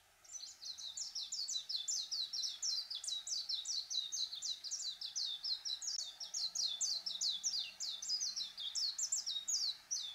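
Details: Warbling white-eye singing: a long, rapid, unbroken run of high, thin, sharply slurred chirping notes, delivered as a lively twittering warble for about ten seconds, with a quiet background.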